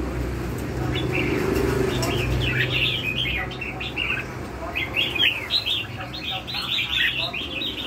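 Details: Red-whiskered bulbul in lân hầu bò song, delivering rapid chains of clear chirping whistles in two dense bursts, the second longer and livelier, over a low hum.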